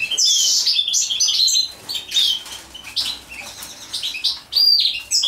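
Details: Mating European goldfinch delivering a near-continuous stream of high, liquid twitters and buzzy chirps, with brief breaks and possible wing flutters.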